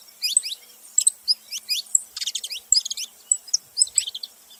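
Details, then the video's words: Saffron finch giving high, thin, rising chirps in irregular short groups, mixed with a couple of brief buzzy, trilled bursts. "Canário da terra fazendo barulho"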